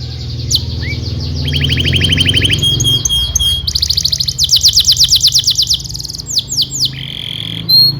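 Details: Canary song played as training material for young canaries: long rolling trills and rapid repeated chips that shift pitch in sections, bright and continuous, over a constant low-pitched hum.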